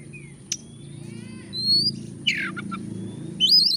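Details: Lure recording of an Oriental magpie-robin meant to spur a lazy bird to sing: scattered sharp clicks, a thin whistle, a harsh descending buzzy note, then a sudden burst of high warbling at the end.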